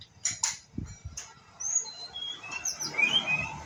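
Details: White-rumped shama, a young bird practising its song. A few dry clicks open the phrase, then soft high whistles slide up and down in loose, irregular snatches over faint background noise.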